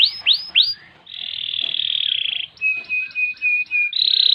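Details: Canary singing three upward whistles, then a long buzzy trill, a row of short flat piping notes, and a final buzzing roll, recorded as tutor song for other cage birds.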